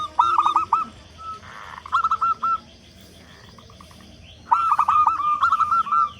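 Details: Zebra dove of local stock with a big, loud voice, played to get other doves calling. Several cooing bursts are heard, each made of short notes followed by a rapid rattling trill, separated by quiet pauses.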